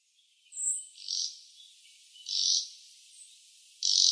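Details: Red-breasted flycatcher song, recorded 13 May 2014 in Sakata, Yamagata, Japan: a thin high note, then three wheezy, buzzy phrases about every one and a half seconds. No other clear sounds.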